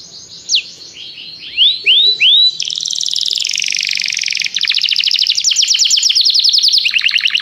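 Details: Canary singing to call a companion into song, used as song training: a few downslurred whistles and rising slurs, then long dense rattling trills that shift pitch partway through.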